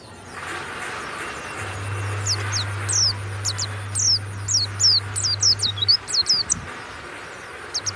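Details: Caged warbling white-eye kept as a songbird in Bali, praised for a loud, open 'ngeplong' song: rapid high, thin descending whistled notes in quick irregular runs over a steady low electrical hum.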